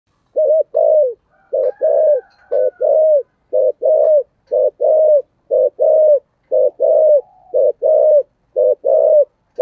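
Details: Spotted dove performing the Vietnamese 'giọng thổ sấm' cooing style, with 'thúc gù' and calling coos played to make wild birds call back. Low, hollow coos come in short paired or triple phrases, repeated about once a second, in a quiet setting.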